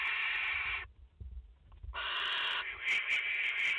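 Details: Barn owl family of a mother and four chicks in their nest in France, live camera, 30 August 2021: a drawn-out wheezy hiss, a second of quiet bumping, then another harsh hiss shifting to a slightly higher, thinner tone.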